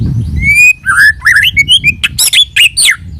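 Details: Lure song of a white-rumped shama: a long clear rising whistle, then quick jumbled whistles and sharp descending notes, over a low rumbling background.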